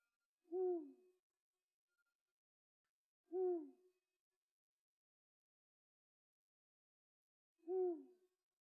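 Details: Eurasian eagle-owl from Korea giving deep, short hoots that drop slightly in pitch, three widely spaced calls several seconds apart against complete silence.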